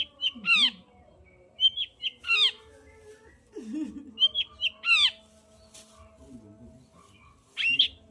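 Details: Long-tailed shrike song meant to trigger singing in a lazy bird: harsh rising squawky notes in irregular bursts, mixed with lower warbling sounds in between.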